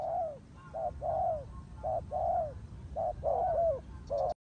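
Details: Turtle dove coos, longer and more drawn out, with some notes slurring downward, delivered unevenly with short gaps before ending abruptly.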